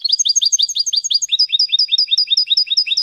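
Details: Tutor recording of European goldfinch song for training young birds: fast, evenly paced high chirps, about five per second, switching midway to a different repeated two-part note.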